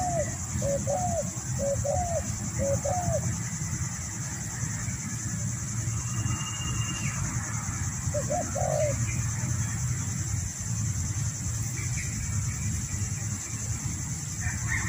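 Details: A spotted dove in a yard gives soft, hollow cooing phrases over a steady low rumble and high insect hiss.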